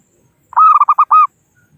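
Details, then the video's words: Local zebra dove calling rivals as a trapping lure: a short phrase of five quick mellow coos, the first and last drawn out, the middle ones clipped and stuttering. "Suara Burung Perkutut Lokal Pikat Gacor Ahlinya Memanggil Lawan"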